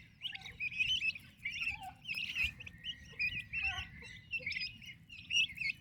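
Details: Healthy, active baby turkeys kept with their mother; bursts of high, piping cheeps come in clustered runs with brief gaps, plus a few softer lower notes and one short noisy thud midway.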